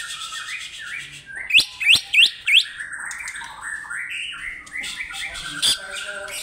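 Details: Caged greater green leafbird (cucak ijo) in Indonesia calling an opponent: a soft stepped warbling series, then four loud sharp rising chirps in quick succession, and one more later.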